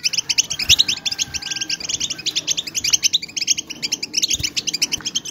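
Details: Many European goldfinches chattering together, a recording used to stimulate silent goldfinches to sing hard; rapid, crisp, high-pitched twitters pulse densely throughout, with a thin level tone early on.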